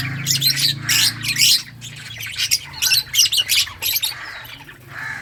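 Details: Several lovebirds of various colours chirping: sharp, high squawking notes in quick, uneven runs of about two or three per second, over a low droning background hum.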